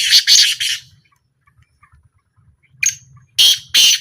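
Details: Black francolin calling in a trial, three rasping notes, a second of quiet, then three more hoarse, grating notes.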